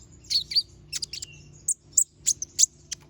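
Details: Little spiderhunter (konin) in lively sharp-toned song: clusters of very high, shrill tweets and short squeaky slurs, with a thin whistled stroke near the middle, over a quiet low hum.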